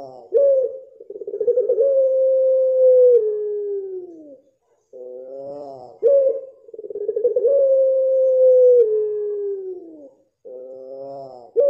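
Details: Two full long coos from a blorok pelung dove. Each begins with a rich harmonic lead-in note, then a throbbing build-up into a drawn-out level tone that drops a step and slides lower as it fades. The coos repeat roughly every six seconds.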